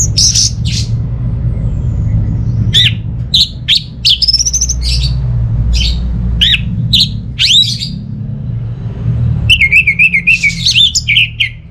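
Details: Orange-headed thrush singing, used to lure birds at home that are not singing into song: varied loud whistled phrases and sharp upsweeping notes, with a burst of rapid warbled trills near the end over a low steady hum.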